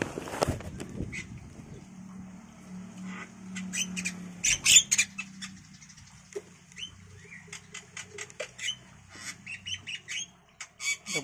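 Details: Caged Javan myna nestlings, five days old, while the free-flying male and female take turns feeding them insects; sharp clicking squawks and short harsh notes come in bursts, then quicken into a rapid run of rasping calls.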